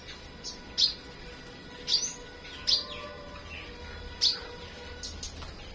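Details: Flowerpecker singing in the morning: sharp, very high chirps that sweep downward, given about once a second with short pauses, over a steady soft background hiss.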